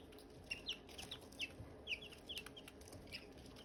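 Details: Silkie chicken chicks chirping around hatching eggs: a lively series of clear, high, sharply falling peeps, about a dozen in under four seconds, over a quiet background hiss.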